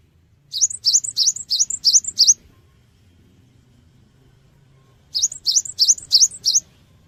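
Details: Cinereous tit lure song meant to draw a fast response from other birds: two bursts of about six rapid, rising, high-pitched whistled notes, separated by a pause of nearly three seconds.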